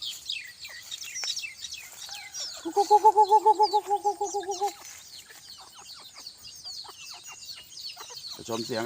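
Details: Bantam chicken on a hot evening: a steady run of about ten evenly spaced, nasal, harmonic clucks lasting two seconds. A constant wash of high insect-like chirps continues behind.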